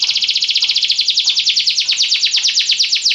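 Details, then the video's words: Belgian canary song: a loud, fast, steady roll of high downward-sweeping notes, about ten per second, continuing without a break for over three seconds. "Canários belgas atraem o som das canções preguiçosas dos canários"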